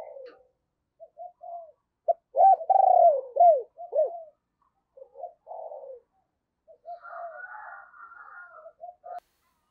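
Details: Spotted dove with a deep bầu 'thunder' voice, kept as a decoy for wild birds, delivers a series of quick arched coo notes, then softer broken phrases, with higher chattering calls toward the end.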